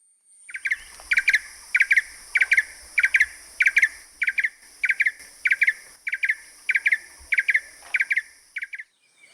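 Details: Blue-eared Barbet in Kaeng Krachan National Park, Thailand, where a male was excavating a nest in an old dead tree trunk: a steady series of paired, high, rattling notes, each pair about every two-thirds of a second.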